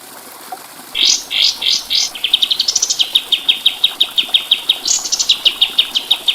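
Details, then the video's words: White-eye song used as a tutor recording for training birds: a few buzzy rising chip bursts, then a long fast series of sharp high notes repeated about three per second, ending with a higher burst and further rapid chips. "Masteran Burung Kapas Tembak"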